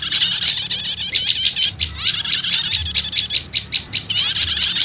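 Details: Prinia (prenjak lumut) lure recording combined with prenjak setater, used to call wild birds: dense high chattering trills alternating with short gaps and isolated sharp chirps, continuous and loud throughout.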